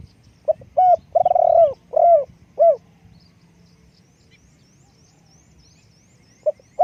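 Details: Cooing phrase from a spotted dove used as a decoy: rising hooked notes, a long vibrating coo, then two falling coos. High faint chirps from another bird follow, and a single note comes near the end.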